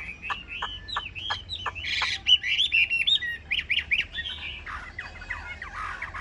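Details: A yellow-billed Chinese hwamei, newly arrived the previous afternoon and not yet singing confidently, sings a rich, fast run of repeated clear whistles, then tumbles into varied slurred and buzzy phrases, loud against a quiet background.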